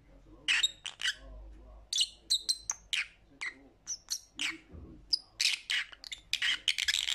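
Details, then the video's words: Lovebird kept as a pet, producing bright chirps and short whistled notes in quick succession, ending in a dense burst of harsh chatter; soft indoor rumble underneath. "Lovebird Sounds for Lonely Parrots"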